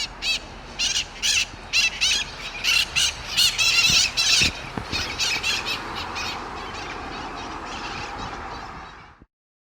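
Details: Wild mitred parrots perched on a Sunnyvale rooftop with a fledgling, 11/01/2020: a rapid series of loud, grating squawks over the first five seconds, then fading into a continuous broadband hiss before an abrupt cutoff.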